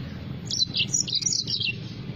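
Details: Yellow-fronted canary in full song: a fast run of bright, high chirping and trilled notes lasting just over a second, with constant low-pitched humming background noise throughout.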